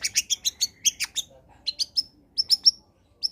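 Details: Bright, busy long-tailed shrike song used as a lure for quiet birds: rapid metallic chips, a brief pause, then clear high whistled notes repeated in short bursts.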